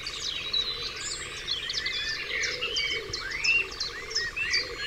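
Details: Many birds singing together at dawn on Dewlands Common, with quick high chirps and short whistled notes overlapping, plus a faint buzzing pulsed drone underneath.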